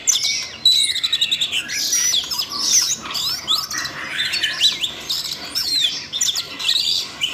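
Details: Siberian rubythroat prompted to sing by voice-training playback for a young magpie-robin. It opens with a clicking rattle, then gives a busy stream of high warbled phrases, twittering notes and sharp chirps that barely break.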